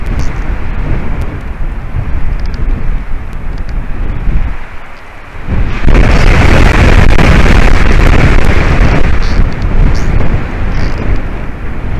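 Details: Heavy wind buffets the microphone at a white-tailed eagle nest in Durbe, Latvia, swelling into a loud roar halfway through, with no animal voice heard.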